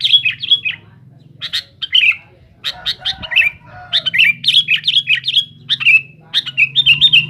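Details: Noisy, insistent Sooty-headed bulbul song meant to provoke rivals: scratchy, falling chirps in irregular clusters, gaining density toward the end over a faint background drone.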